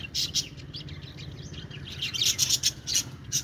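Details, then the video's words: Budgies chirping: bright, scratchy high chirps in short bursts, with a quieter patch mid-clip before a denser run of rapid twittering near the end; low background hum. "parakeet chirping sounds | budgie sounds"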